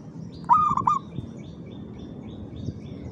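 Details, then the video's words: Perkutut, the zebra dove, delivering a brief, lively cooing phrase of two or three rounded pulsed notes, then quiet with faint distant chirps in the background. "SUARA BURUNG PERKUTUT GACOR IRAMA"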